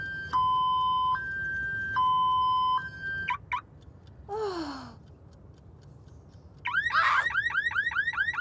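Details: A lyrebird mimics a car alarm as an alarming wake-up call that costs a woman sleep: steady two-tone electronic blares, a falling swoop, then fast repeated whooping chirps, all strikingly mechanical.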